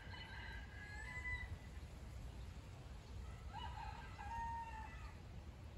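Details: At the end of November in rural Nottinghamshire, just after alpacas were fed, a distant rooster crows twice, each crow a drawn-out harmonic phrase over a second long, over a steady low rumble of wind.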